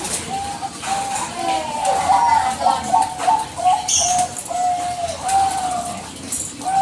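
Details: Lure call of a Bangkok zebra dove, used to make other doves answer: repeated mellow, low coo phrases, some with a slight warble, running almost without a break amid light clicks and background hiss.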